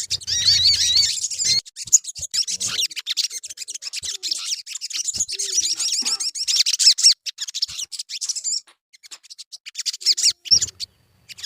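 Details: Sogon bird used as a song lure: long stretch of rapid, crowded high chirps and trills, fading to scattered notes near the end.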